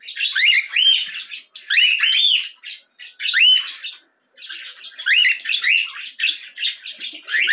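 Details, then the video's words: Cockatiel chicks begging while being fed: bursts of loud, rising, scratchy chirps repeated in quick clusters, with short pauses between each run of calls. "Alimentação para filhotes de Calopsitas."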